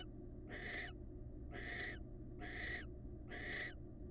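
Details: Pair-bonding wild barn owls: four rough, breathy hissing screeches, each about half a second long and roughly a second apart, over a constant low hum.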